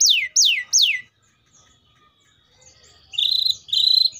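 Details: Loud canary song opening with three fast downward-sweeping notes, then a short quiet gap, followed by bright, buzzy rolling trills.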